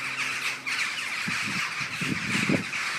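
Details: Morning murmuration of common starlings, 21 November 2012, giving a steady roar of overlapping high squeaks and chatters from many birds, with soft low thumps of wind underneath.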